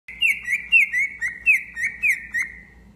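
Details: Tame pet cockatiel singing: a quick run of bright, clear whistled notes, each dipping then rising slightly, about eight notes in three seconds, steady and evenly spaced, with no other sounds.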